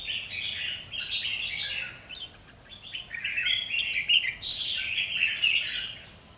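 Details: Young wild-caught red-whiskered bulbul, aged two months, in display song: continuous chattering warbles of short rising and falling notes, briefly easing around the middle before resuming loudly, with constant background hiss.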